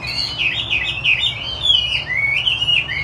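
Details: Chinese hwamei (wambi putih) delivering gacor song, a flowing, melodious stream of warbled whistles that rise and dip without pause, over a low background hum.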